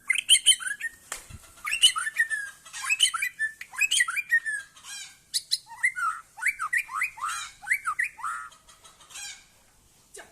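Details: Aceh-type white-rumped shama performing at a singing competition: loud, dense, fast song of varied whistles, chattering trills and sharp squawky notes in quick bursts, continuing almost without pause for ten seconds.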